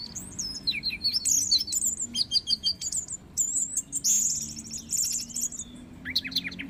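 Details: Orange-headed thrush in full song: rapid, very high warbling phrases of sweet whistles, chatters and buzzy trills, broken by brief pauses, with a faint low hum behind.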